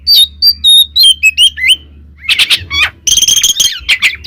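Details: Song of twin Oriental magpie-robins meant to stir other magpie-robins: a string of clear whistles stepping downward, a pause, then harsher scratchy and chattering notes mixed with whistles.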